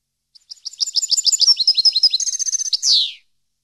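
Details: European goldfinch, recorded as a training song for captive goldfinches, delivering a quickening series of bright twittering notes that runs into a fast trill and ends in a harsh buzzy downward slur.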